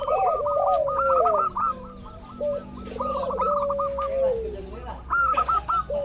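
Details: Local zebra dove, lure for provoking rival doves to sing: strings of short staccato coos over a long, gently falling lower coo, with a faint murmur in the background.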